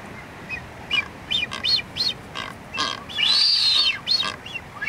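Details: Dancing blue-footed booby giving a series of short, high, arched whistles at irregular intervals, then one longer drawn-out rising-and-falling whistle near the end.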